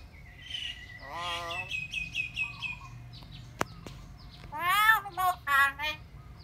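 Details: Pet talking myna giving harsh harmonic calls and speech-like phrases, short bursts between about one and two seconds, then a louder run of rasping rising notes near the end; a faint steady whistle-like tone runs through.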